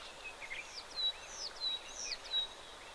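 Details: Many oxpeckers moving around at an African waterhole on 25 November 2024 give thin, high whistles and hissy, twittering chirps, several overlapping in quick bursts about every half second over a soft outdoor hiss.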